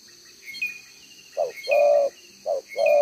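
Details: One-tail-note cooing from a decoy spotted dove with a two-row spotted collar: after a quiet start, two phrases follow, each a short coo then a longer, even, low note, with brief high chirps and insect noise in the background.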